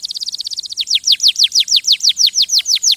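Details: Canary song opening with a very fast twittering trill, then slowing into evenly spaced, loud, downward-sweeping whistled notes, about five per second.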